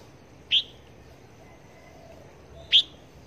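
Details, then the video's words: Red-whiskered bulbul kept as a trapping decoy near Long Thành, giving two short, sharp, bright call notes about two seconds apart over a quiet background. "Chim Chào Mào Mồi Bao Dẫn Đi Bẫy"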